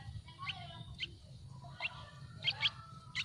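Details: Yellow-vented bulbul nestlings in a tree nest calling for food, giving a few scattered high, thin chirps separated by pauses, with low background rumble.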